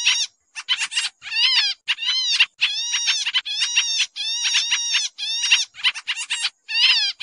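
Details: Lure call of the pied triller for bird trapping, busy and noisy: strident, buzzy chattering notes with rich overtones, some strongly bowed, running in near-continuous irregular bursts with short silences.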